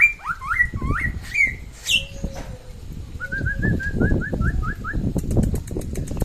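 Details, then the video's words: Samyong of West Nusa Tenggara, singing actively: a few curling whistles at the start, then a steady series of about ten short, evenly spaced notes, with loud low rumbling noise throughout. "SAMYONG NTB GACOR SUARA MANTAP"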